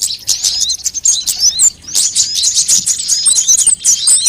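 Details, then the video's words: Sunbirds of various kinds, used as a lure to attract birds and get them singing quickly: dense, overlapping high thin chirps and short rising and falling whistles, several birds calling at once with little pause. "suara pikat semua jenis burung kolibri"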